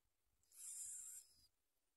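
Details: Bar-winged prinia nestlings at the nest, being fed by their mother, give one brief, very high, hissing begging burst lasting under a second, with quiet background otherwise.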